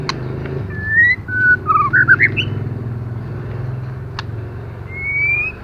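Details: Female white-rumped shama, calling to stimulate males, gives a burst of short whistled slurs and twisting notes. A long upward whistle follows near the end, with clicks and a steady low hum beneath.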